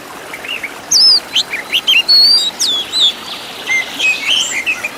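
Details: Kacer, the Oriental magpie-robin, in a master recording of rich filler song meant to make caged birds sing. After a quiet start comes a burst of loud, clear whistles: steep upsweeps, flat tones and twittering notes in rapid sequence.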